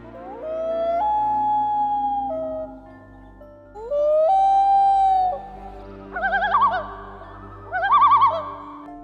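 A loon gives two long, rising, mournful wails, then two quavering, laughing tremolos over a low musical hum.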